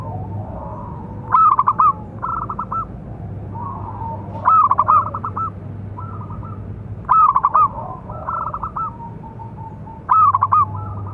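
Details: Zebra dove of local stock, big-voiced, song for training and provoking other doves: four loud broken cooing phrases about every three seconds, with quieter answering coos between them over a low electrical hum.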